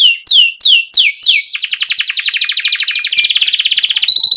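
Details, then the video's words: Canary in full song, used as a lure recording to get young canaries singing: five loud descending whistled sweeps, then a long, rapid, buzzy rolling trill of fast repeated high notes, ending in steady high tones. "Pancingan Kenari Gacor NGEROL Cuit CUIT Rekomendasi buat MASTERAN Kenari PAUD agar Cepat BUNYI"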